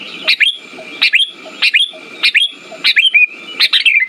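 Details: Sooty-headed bulbul song used as a lure for birds that have gone quiet: bright, slurred chirp groups repeated about every 0.7 seconds, six phrases in four seconds, with a thin steady tone in the background.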